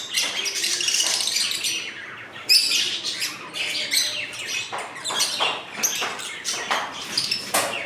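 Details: Lovebirds in an indoor breeding colony, several colour mutations kept together: dense overlapping high chirps and shrill squawks from many birds at once, a constant busy twittering with sharper bursts near the middle.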